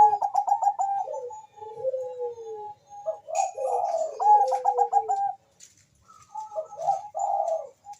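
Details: Zebra dove of the Bangkok type calling very fast and answered by a rival, used as a lure: quick trilled cooing bursts mixed with long falling whistles, two birds overlapping and trading phrases.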